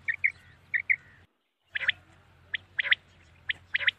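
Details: Night-time common quail calling: soft paired notes, a brief silence, then louder, sharp notes in twos and threes repeated about every half second.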